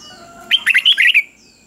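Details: Single doubled three-syllable phrase from a caged Red-whiskered bulbul, the counting-competition song taught to chicks; five or six quick, clear whistled notes bouncing up and down in well under a second.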